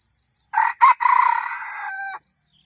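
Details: Red junglefowl rooster, used as a lure for wild birds, gives one loud crow: two short opening notes, then a long harmonic drawn-out note lasting about a second. Faint insect buzzing in the background.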